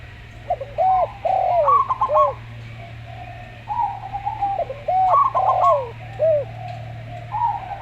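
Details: Slow-voiced local zebra dove: rapid, high, clipped coo notes appear twice. Around them, a spotted dove gives lower, arched, calm coos, over a steady low electrical hum.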